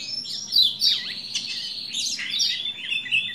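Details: Lombok white-eye in a lure recording used to provoke males to sing, high rapid twittering song of thin slurred whistles and chirps, with downward sweeps and quick trills, steady and continuous.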